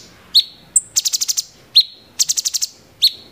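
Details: Cucak cungkok bulbul singing in the 'tembakan' (shot) style: sharp high whistled notes alternate with rapid bursts of five or six very high, clipped ticks, the pattern repeating roughly every second and a half against a quiet background.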